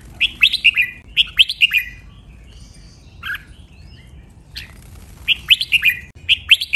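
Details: Red-whiskered bulbul training song, crisp and sweet with counted doubled phrasing: two quick bubbly whistled phrases, a quieter stretch with scattered single notes, then two more lively phrases of rising and falling whistles.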